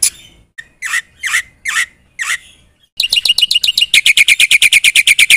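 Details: Singing Black-winged myna with fill-in phrases that draw replies from other birds: several drawn-out, hoarse, breathy notes spaced apart, then an accelerating string of piercing, clipped chips repeated quickly.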